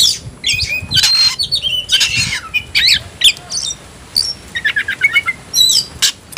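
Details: Oriental magpie-robin roused for fighting, giving harsh squawky notes and whistles, then a quick run of short repeated chips near the end.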